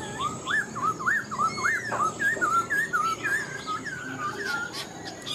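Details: A wild-caught adult caged Black-throated laughingthrush (Pterorhinus chinensis), kept about four months, red-eyed, white-cheeked, pink-legged and banded, sings a quick run of rich, looping whistles swooping up and down about three times a second over faint hiss.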